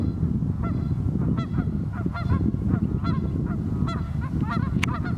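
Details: Very cold North Idaho morning on the Pend Oreille River, where geese give a quick run of bent, nasal honks, several birds overlapping, over a loud low-pitched background roar.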